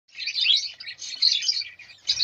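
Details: Zebra finch chicks, newly hatched, kept as caged pets: dense high chirping and squeaky calls in overlapping bursts, with short pauses between groups.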